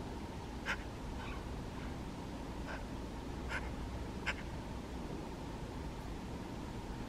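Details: Eurasian magpie eating rowanberries and calling toward the person filming: short, harsh, clicking notes, about five scattered irregularly over seven seconds, above a steady low background hum.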